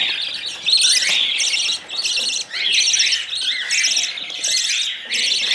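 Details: Spoon-fed budgerigar chicks keep up shrill, scratchy begging squawks in long buzzy bursts separated by brief drops, persistently loud and high.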